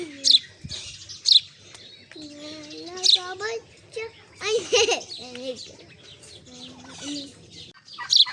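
Golden sparrow giving sharp, high chirps every second or two, with people talking underneath.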